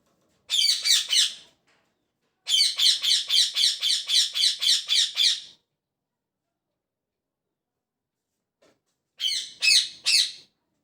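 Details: Parrot chirping in the morning: bursts of harsh, high, rapidly repeated chirps, a short volley, then a long run of about ten evenly spaced notes, silence, and three more chirps near the end.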